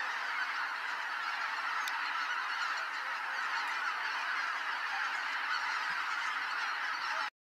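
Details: A great flock of wild geese rising from Kabukuri-numa marsh at daybreak, giving a thick, constant clamour of overlapping honks that stops abruptly into silence at the end.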